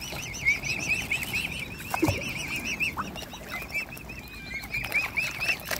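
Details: Mute swan cygnets, hungry and being fed by hand in a swan family; dense high, wavy peeping almost throughout, with a few lower knocks and handling noises in the middle.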